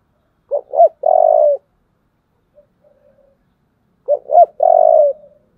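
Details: Spotted dove fighting call sung in the deep 'giọng thổ' style, a pair of quick hooked coos followed by a drawn-out steady coo, repeated twice about three and a half seconds apart with faint murmurs between.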